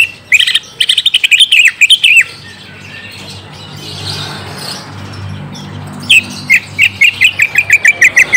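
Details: A young green leafbird is lured into answering by this song: rapid, buzzy rattling chirp series, a quiet middle stretch, then another fast run of sharp repeated notes.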